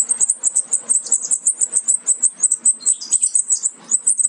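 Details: European goldfinch chicks nearly ready to fledge, bred from a Major goldfinch carrying aminet and an ancestral Parva; steady, insistent stream of very high thin peeps, several each second, with a brief lower chatter near the end.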